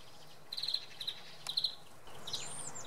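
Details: Common redpoll at Oksywie early in the morning: two quick bursts of dry chattering notes, then looping high whistles from another bird over a low hum.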